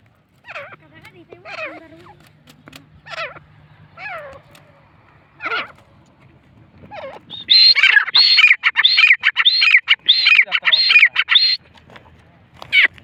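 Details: Grey francolin calling at Layyah: spaced harsh, falling notes at first, then a loud, fast run of rasping, repeated calls for about four seconds, with a low steady hum underneath.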